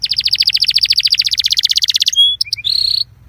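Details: Belgian canary song recording used to warm up canaries: a fast run of high, evenly repeated notes that speeds into a dense trill, then a short pure whistle, brief chips and a final buzzy rattle.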